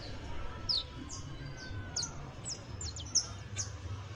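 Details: Saffron finch (Sicalis flaveola) song for canary training: scattered high, thin downslurred notes and brief trills separated by short pauses, fairly quiet against a constant low-pitched hum.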